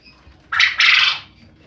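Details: Male quail calling loudly at night, keeping neighbours awake; a harsh, buzzy two-part call, a short burst followed by a longer rasping phrase, over a quiet background.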